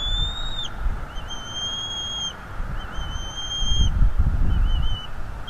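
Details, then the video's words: Male bald eagle at a North East Florida nest attacking an intruder, picked up by a live nest cam: a series of high, thin whistled notes, each slurred and slightly rising, over constant low noise. "Father Eagle attacks Intruder on the North East Florida Eagle Livestream"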